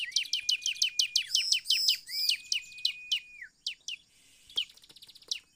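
Bar-winged prinia singing a rapid, ringing run of high chirped notes, about three per second, followed by a long sustained whistle and a few scattered chips.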